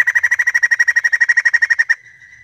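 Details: Female white-crested laughingthrush screaming: a fast, harsh rattle of about twenty evenly spaced pulses over two seconds, steady in pitch and loudness, ending abruptly into near silence.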